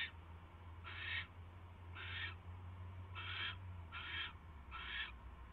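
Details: Barn owl nest scene on 22 January 2016 at night as a mouse is delivered; five breathy, grating hiss bursts at uneven intervals, over a constant low droning hum.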